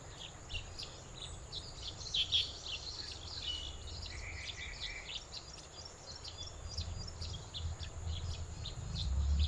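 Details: Black bulbuls perched in an invasive white leadtree give scattered high, squeaky and nasal calls, with a brief buzzy phrase in the middle, over a steady low rumble of wind or distant traffic.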